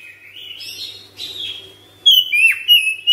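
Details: Caged Oriental magpie-robin at home, singing ngropel: soft wavering whistles that grow into loud, sharp whistled notes with a steep downward slur and quick chirping flourishes.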